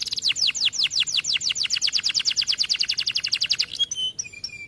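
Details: Canary in full song, used as a training tutor for other canaries: a fast rolling tour of descending high whistled notes, about three per second, ending in a few pure held tones.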